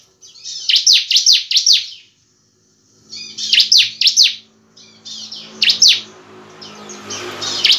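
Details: A bar-winged prinia in full song sings in quick bursts of high, sharp chirps, often three in fast succession, with short pauses between bouts and a faint background hiss.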